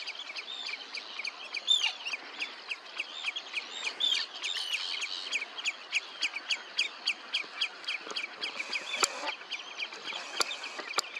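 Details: Red-necked phalarope at Olafsvik, Iceland, on 15 June 2024; a fast, steady stream of short, high chirping notes, several each second, over a faint rushing background.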